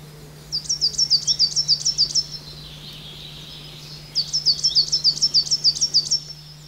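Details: Coal tit at a garden bird pond in the Veluwe. Two bursts of about ten very high, thin, sharply rising-falling notes in quick succession, separated by a pause of roughly two seconds, with a steady low hum underneath.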